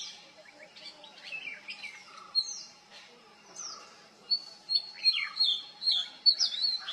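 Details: Oriental magpie-robin song with mimicry: quieter scattered whistles and slurs at first, then a louder burst of rapid, bright repeated whistled phrases in the final seconds, over a faint background hum.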